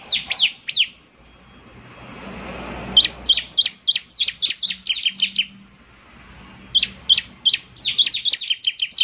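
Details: Bar-winged prinia singing energetically: bursts of rapid, high, sharply descending chirps, about three per second, in two runs separated by a quieter pause.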